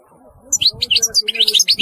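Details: European goldfinch giving a brief run of quick high twittering notes, with a faint low murmur underneath.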